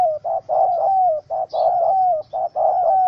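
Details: Angry wild spotted dove held in a small rope trap, 04/07/2017; loud, near-continuous run of mellow coos, short notes alternating with longer drawn-out falling ones, a brief high chirp from another bird midway.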